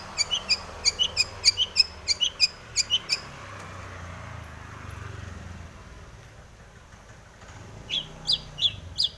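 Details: Long-tailed shrike in breeding condition, singing full of mimicked fill-ins, used to provoke other shrikes to sing: a burst of sharp high chirps and squeaks, a quiet pause with low background hum, then another short run of chirps.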